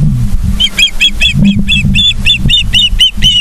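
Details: High, piercing chirps from Ospreys at a Charlo, Montana nest, 31 August 2023, morning; evenly spaced whistled notes repeat about four per second throughout, over a constant low mechanical hum.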